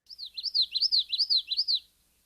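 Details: Common yellowthroat song, an example of a three-element phrase: a bright, rolling "witchety-witchety" repeated about five times in under two seconds, high and clear with no other sounds.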